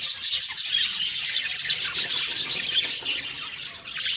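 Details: Several budgerigars chirp in the morning, with bright whistled squeaks and rapid chattering notes layered into a busy, steady stream.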